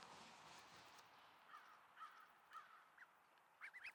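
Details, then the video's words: A young duckling tries to quack at 10:29 AM on a partly cloudy August day in Sainte-Adèle, Quebec, Canada. A few strained, nasal squeaks come about half a second apart, ending in a quick, higher, cracked triple call. "Duckling Learning to Quack"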